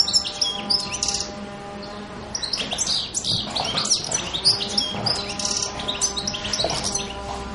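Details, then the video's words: Goldfinch song from Pantelleria island on 2 January 2011, a lively tumbling stream of tinkling twitters and buzzy trills in bursts, with a faint low hum behind. "Cardellino - Chardonneret - Goldfinch - Pintassilgo - Jjilguero - Stieglitz - Carduelis carduelis"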